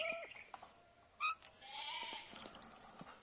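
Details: Pet ring-necked (rose-ringed) parakeet, a talking and dancing bird, gives nasal, harmonic vocal sounds: a short squawky burst, then a drawn-out, slightly wavering note, with faint background noise.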